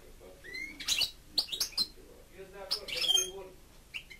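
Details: A pet European goldfinch (Carduelis carduelis), praised by its owner for singing beautifully, sings a quick, tinkling jumble of high twitters, short buzzy notes and bright chirps in several bursts, with brief pauses between.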